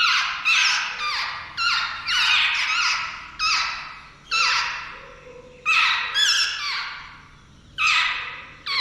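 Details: Jungle babbler chicks about to fledge, a family group known locally as seven sisters; harsh squeaky downslurred calls in loud bursts roughly every second, several birds overlapping.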